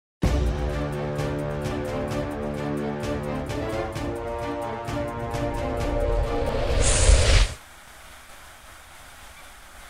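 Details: Rhythmic music plays for most of the recording, then cuts off abruptly, leaving quiet background noise.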